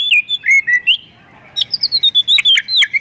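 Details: Oriental magpie-robin, singing hard with a song full of borrowed phrases to lure others: looping whistled slurs, a short gap, then a quick series of bright descending whistles and chips.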